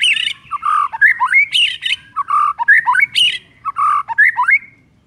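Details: Morning song of a white-rumped shama, used as a lure for birds that sing little. Varied phrases of rich whistles, slurred rising notes and harsh squawky syllables, repeated in quick bursts with short gaps.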